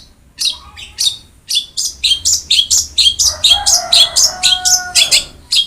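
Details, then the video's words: Long-tailed shrike in energetic singing, as a training recording meant to prompt quiet shrikes to sing: rapid series of sharp, high chirps and harsh notes repeated about twice a second, with a sustained buzzy tone in the middle. "Masteran Wajib Untuk Burung Cendet Malas bunyi"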